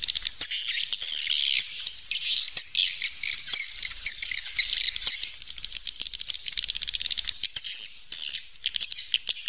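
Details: Swiftlets calling inside a cave, a continuous high chattering wash of many birds with rapid clicks and twitters throughout.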